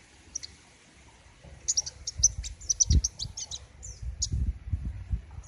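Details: A King Konin sunbird, whose song is louder and sharper than related species, gives a rapid run of very high, thin chips and twitters over a few seconds, with low thumping and handling noise beneath.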